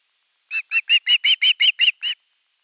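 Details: Osprey chick at nest camera 3, 10 August 2021, calling long for fish: nine piercing, slightly arched chirps in a quick row, growing louder midway, then silence.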